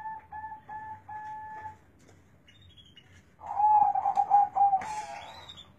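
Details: Zebra dove noted for its large bass voice; a thin steady tone with short breaks opens, then a loud low rolling coo phrase follows, ending in a brief rustle.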